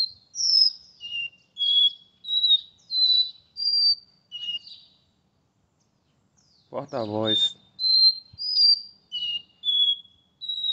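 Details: Capped seedeater of the porta-voz song style, São Paulo, Tuesday morning, 12 August: a run of high pure whistles, some falling, in steady sequence, broken midway by a brief human voice before the whistling resumes.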